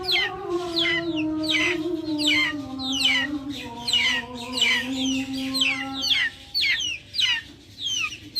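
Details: Backyard chickens with many sharp, high, falling peeps in an irregular stream over a low sustained humming call that slowly sinks in pitch and stops about two-thirds of the way through.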